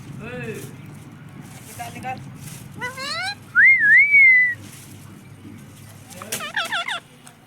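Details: Talking parrot kept as a pet, known for saying "mummy papa", makes rising slurred speech-like syllables, a loud looping whistle, then a burst of quick chattery notes, with quiet voices around.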